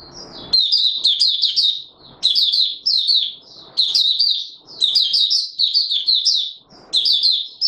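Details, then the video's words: Caged white-eye, known locally as mata puteh raja, singing in warm humid weather on 20 March 2022: rapid high twittering phrases in bursts of about a second, separated by short pauses, with faint low rustling between phrases. "Mata Puteh Raja Video 1 buka sing warm humid weather"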